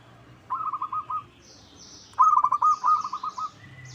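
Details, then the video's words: Zebra dove of the local type, used as a lure so a rival answers: two phrases of rapid, mellow rolling coos, the second longer and louder, with thin high chirps of other birds in the background. "Pancingan PERKUTUT LOKAL Agar Bunyi 100% Ampuh! bikin lawan nyaut."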